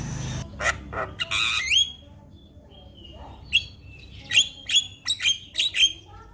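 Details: Javan myna full-content song played to coax a silent myna into singing: a few scratchy notes, then clear, sharp, rising whistles separated by a quiet pause, ending in a quick burst of bright whistled chips.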